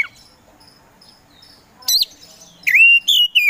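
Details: Kacer poci Oriental magpie-robin, mostly quiet at first, then a sharp high note followed by a loud, sustained, wavering whistle in two parts.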